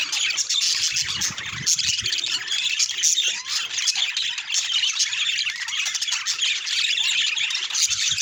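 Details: Pet budgerigars in a noisy flock chatter, rapid high twittering and scratchy squawks overlapping constantly, with a few lower thumps near the start.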